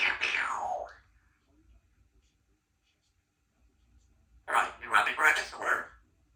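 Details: A 3-year-old female Congo African grey parrot at home chatters in speech-like phrases: a falling, voice-like utterance, a pause, then a quick run of syllables in a small room.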